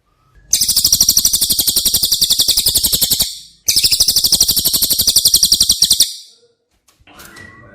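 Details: Cililin singing, used as tutor audio for caged White-rumped shama: two long, loud, high trills of rapidly repeated harsh notes, about three seconds each with a brief break between, then faint rustling.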